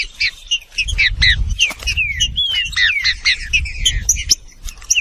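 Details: Green-winged saltator giving a busy, overlapping stream of falling whistles and chirps, one longer gliding whistle in the middle, above a rumbling low background.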